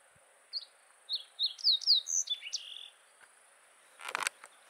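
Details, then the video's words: A slate-colored Fox Sparrow sings one bright, varied phrase of clear whistles and sweet slurred notes lasting about two seconds, then a short burst of noise; recorded 5 July 2019, Black Rock Range, Humboldt County, Nevada. "Fox Sparrow (Slate-colored)"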